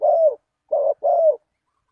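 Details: Spotted dove calling as a lure for wild doves: one drawn-out low coo, a short pause, then two more coos, the last long and slightly falling, in a clean recording.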